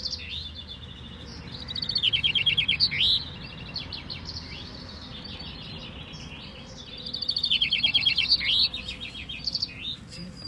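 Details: Common chaffinch singing at a finch-singing contest (vinkenzetting) with 23 finches at a café in Bellem, Aalter, East Flanders, Belgium: rapid descending trilled phrases ending in a flourish, two bursts about five seconds apart over steady low background hum.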